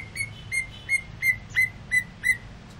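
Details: Caged greater green leafbird singing while cooling down after sunbathing: seven clear, slightly slurred whistled notes at one steady pitch, evenly repeated about every third of a second, over faint low background hum.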